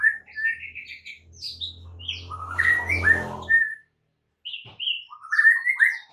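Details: White-rumped shama master song for training caged birds, a varied string of short whistles and chirps over a low hum, a brief pause, then rising whistled notes.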